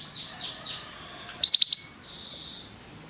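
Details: Restless canary song, quieter and farther off: soft descending sweeps, a brief burst of bright notes with a held whistle, then a buzzy sustained note, over low background hiss.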